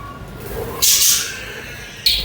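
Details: Budgie chatter: quiet soft warbling, then a sudden loud burst of harsh high chirps lasting about a second, followed by another sharp chirp at the end.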